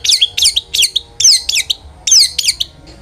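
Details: Long-tailed shrike song as a lure to set other shrikes singing: fast high downslurred whistled chirps, strung in quick bursts.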